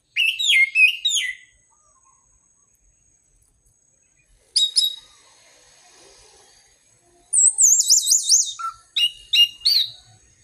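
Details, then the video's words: Orange-headed thrush singing to prompt other birds: three bursts separated by silences. An opening clutch of rapid chirps, a brief high trill, then a longer rich phrase of warbling, rolling notes followed by sharp staccato whistles. "Pancingan anis merah paling ampuh dijamin burung manapun akan ikut bunyi gacor ngeplong"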